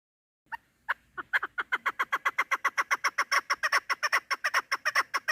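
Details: Female chukar partridge calling, used as a lure for hunting: a long accelerating series of short harsh clucking notes, starting with a few spaced notes then settling into rapid regular repeats about two or three per second.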